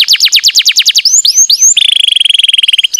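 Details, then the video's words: Kept canary singing an energetic lure song to stir idle canaries. A rapid pulsed trill of sweeping notes gives way to a few slurred whistles, then a long, even, buzzy rattle on one pitch. "Sekali putar kenari yang malas bunyi langsung nyaut"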